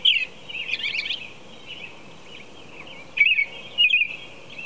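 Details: At 4:00 a.m. an American robin sings brief warbled whistles, first a rapid jumble of notes, then a quiet gap before two more clear rising-and-falling phrases, with a faint steady high hum behind.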